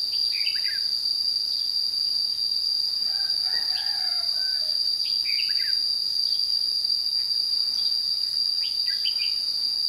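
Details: Lure Red-whiskered bulbul singing in competition during a trapping session at Chùa Hương, Vietnam, on 22 June 2016. A few bubbly, warbled phrases come several seconds apart over a constant shrill cricket-like drone.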